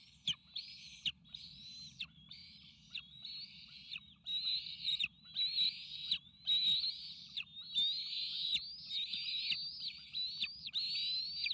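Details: Bald eagle eaglets at the Sauces nest, triplets approaching fledge age, excitedly begging for an arriving meal, eagle cam, May 29 2018. High quavering whistles start softly then grow louder and more insistent, running together in a near-continuous chatter with occasional clicks.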